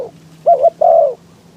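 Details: Spotted dove in a trap cage with an open top, luring wild doves despite strong wind: a paired soft coo followed by a long, smooth descending croo, with a steady low drone beneath.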